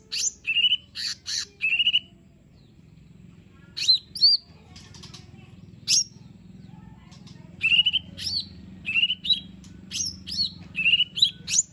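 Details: Lesser green leafbird song played to coax a reluctant bird into singing: chirps and buzzy phrases, a quiet two-second pause, then bursts of whistled and rasping notes over faint low background hum.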